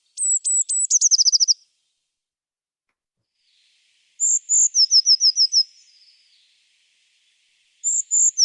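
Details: Eurasian Blue Tit sample recording: a burst of high downslurred notes running into a short rapid trill, repeated twice more after long pauses. The later phrases are slower, with descending notes. The pauses are silent.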